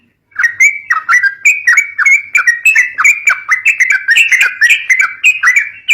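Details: Yellow-vented bulbul in fighting-style song to lure young birds: steady, rhythmic series of short slurred whistles and chirps, repeated several times a second without pause.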